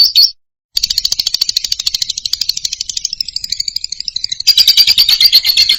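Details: Loud lovebird song used as therapy for moulting or quiet birds: a long, fast rattling chatter of buzzy pulses, high and dense, thinning to a squeaky twitter midway before a shrill, louder stretch.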